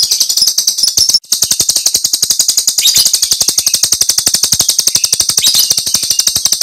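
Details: Jalak Rio starling in full 'tembakan' burst song, recorded as a master track for training cage birds: fast, harsh, evenly pulsed chattering with a sizzling high overtone, broken by a brief gap after one second.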